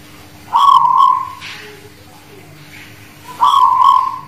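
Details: Zebra dove of the Guling Murio style, Muria mountain area near Kudus, singing (manggung): two rolling coo phrases about three seconds apart, each opening with a quick double note, with a soft low hum behind.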